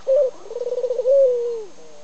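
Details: A Barbary (ringneck) dove perched in a lilac tree outdoors gives a low coo: one soft note, a quick rolling burst of about eight pulses, then a long, smooth tone that slowly falls away.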